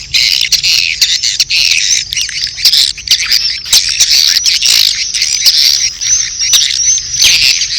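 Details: Swiftlet courtship calls blended with chick calls, a constant shrill chattering of fast, buzzy chirps that swell and dip in short bursts over a faint low hum.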